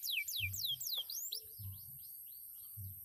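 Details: Former field canary sings a few loud falling whistled slurs, about three per second, trailing into softer swoops; low thumping sounds recur in the background.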